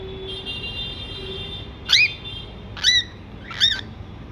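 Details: A hand-fed baby cockatiel gives three harsh, rasping squawks, each briefly rising then falling, as it begs for food.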